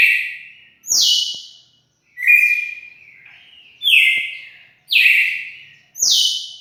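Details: Song of a red-cowled cardinal on 4 February 2020: a run of six forceful whistled notes alternating between lower and higher pitches, each fading out before the next, with no other sounds.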